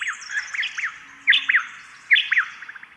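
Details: A pair of White-eared honeyeaters counter-sing in spring, trading sharp, slurred two- or three-note 'quit you' phrases back and forth, with a faint wash of other birdsong behind.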